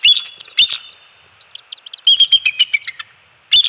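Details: Bald eagles on a Florida nest at Captiva/Sanibel Island, early-morning shift change with fish fed to two-week-old eaglets, Dec 2020; sharp high chirps open, soft twittering follows, then a quick stuttering series of piping notes and a final burst.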